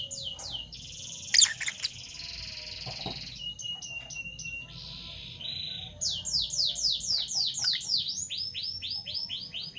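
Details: Fischer's lovebirds, parblue violet and parblue turquoise, singing in the morning: a buzzy, harsh chatter, then from about six seconds a fast run of sharp, high down-slurred chirps, roughly four per second.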